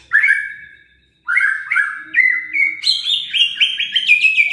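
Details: White-rumped shama song used to provoke sluggish, silent shamas into singing: a strong whistled note, a pause, then a quickening run of bright slurred whistles stepping upward, ending in fast repeated notes with harsher chatter mixed in.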